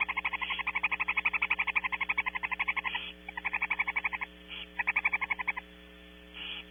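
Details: Early morning feeding of barn owls at Starr Ranch, recorded 21 March 2016. Fast, regular trains of pulsed notes come about four per second, split into bursts by short pauses, with a constant low hum beneath.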